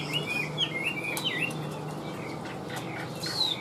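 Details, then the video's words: Tame caged Chinese hwamei gives a few soft, curving whistled notes, fading briefly before a last bright rising phrase, against a faint constant hum. "Siêu mỏ ra giọng rất đều - Họa mi đẹp hót hay"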